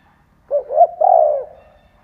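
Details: Spotted dove decoy bird cooing to provoke and lure wild doves, from Vietnam: one low, mellow three-part coo, two short hooting notes rising into a longer drawn-out final coo that fades away. Quiet background.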